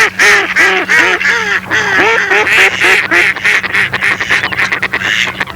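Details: Mallard quacking, loud and close: a series of downward-bending nasal quacks at about three per second, then rougher clipped calls near the end. A low constant hum runs beneath.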